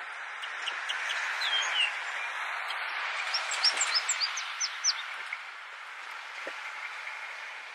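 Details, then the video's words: Yellow Warbler (Setophaga petechia gundlachi) in La Habana, Cuba, August 2017, gives a quick run of high, sharp rising chips, about a dozen in two seconds, over a steady hiss of background noise. "Paruline jaune (Setophaga petechia gundlachi) Yellow Warbler"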